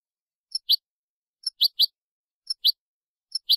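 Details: Goldfinch Málaga-style teaching song for young birds: clear doubled chirps, a soft pip then a louder tweet, repeated about once a second.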